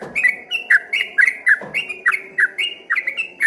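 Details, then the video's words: Yellow-vented bulbul singing in a rapid, energetic 'ropel gacor' style, mistaken from afar for a straw-headed bulbul: bubbly, slurred whistled notes tumbling up and down, about three per second, in a continuous chatter over faint background hum. "dari kejauhan di sangka suara burung CUCAK ROWO setelah dihampiri ternyata cuma TRUCUKAN ROPEL GACOR"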